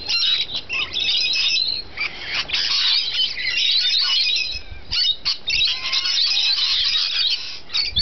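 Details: Rainbow lorikeets at a feeding session keep up a noisy, high, grating chorus of squeals and screeches, bunched in irregular bursts with short gaps between them.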